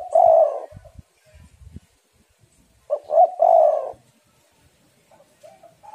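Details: A female spotted dove calls to draw in and stimulate males. A loud coo opens, and a full phrase of brief notes plus a long burry coo follows about three seconds later. Soft faint coos trail at the end.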